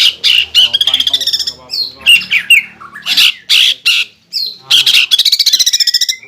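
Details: Greater green leafbird singing hard: harsh squawky bursts mixed with rapid high rattles and short whistled slurs, delivered in quick loud phrases with brief gaps.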